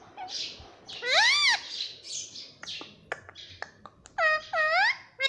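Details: Pet parrot (mitthu) talking, said to say 'mummy papa': a series of loud, ringing, harmonic calls with arched, wavering pitch, the clearest near the start and two more near the end, separated by short clicks and softer noises.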